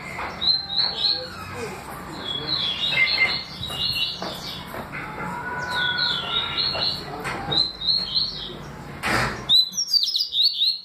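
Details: Double-collared seedeater song, in the styles called tui tui and deputado: high whistled phrases of rapid chirps and slurred notes repeated again and again over about ten seconds, with a steady low hum and a short clatter near the end.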